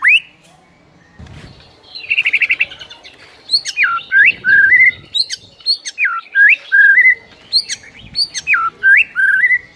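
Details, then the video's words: White-rumped shama singing in the morning as a masteran tutor recording: loud, varied whistled phrases with sharp upslurs and downslurs. After a brief buzzy trill, the notes come in quick bursts separated by short pauses. "1 MENIT LANGSUNG GACOR ON DENGAR MASTERAN MURAI PAGI HARI INI"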